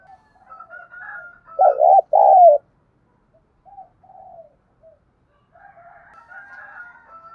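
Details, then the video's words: Wild-dove luring call of a spotted dove, 'thúc gù' cooing: two loud, mellow coos back to back, preceded and followed by fainter distant cooing and soft chirps in the background. "cu gáy thúc gù sung nhất// Tiếng cu gáy cực hay dùng kích bổi tập mồi thì khỏi bàn"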